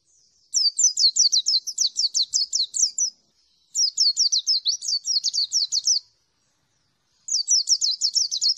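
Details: White-eye of the Dakun Merapi type singing in the long ngalas style: three bursts of very high, rapid, sharp chirping notes, each lasting about two to three seconds with short pauses between, on a clean, quiet background.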